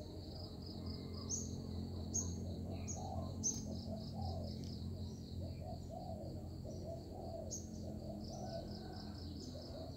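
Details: Lure zebra dove used in trapping delivers a long, rapid series of soft curved coos, roughly two per second, beneath high chirps and a constant shrill buzzing drone.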